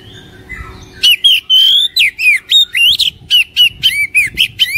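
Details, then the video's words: Oriental magpie-robin song meant to stimulate a caged bird into singing: after low background hum, a burst of loud, rapid, varied whistles and harsh warbles follows, about four notes per second, continuing to the end. "PANCINGAN KACER INI | KACER MALAS BUNYI CEPAT GACOR"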